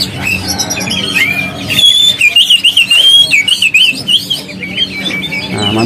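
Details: A caged Oriental magpie-robin in full song at Pramuka bird market, East Jakarta, by day: a rich, varied run of clear whistles and quick warbled trills, high and changing phrase by phrase, over market chatter and other caged birds.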